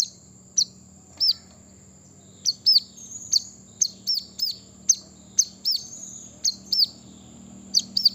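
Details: Brown-throated sunbird song played to provoke wild birds into singing: sharp, high, downslurred chirps repeated irregularly, some doubled, over a steady high-pitched hiss and a low hum.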